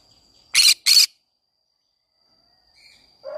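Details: Green-cheeked conure in a flower garden giving two harsh, buzzy squawks about a third of a second apart, then silence with faint bird notes near the end.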